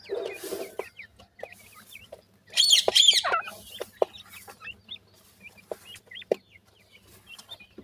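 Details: Grey francolin chicks calling in brisk, thin, rising peeps repeated roughly three times a second, broken by a loud harsh rasping burst in the middle, with a low hum in the background.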